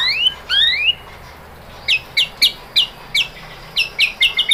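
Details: Shama song meant to provoke other shamas into singing: two long rising whistled slurs, then a pause and a run of short, sharp descending notes repeated about every third of a second.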